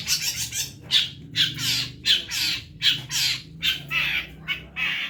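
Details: Long-tailed shrike in full, lively song, recorded for training other songbirds: rough, scratchy squawks repeated in a steady series of about seventy-five per minute, each a short noisy burst with a faint whistled edge.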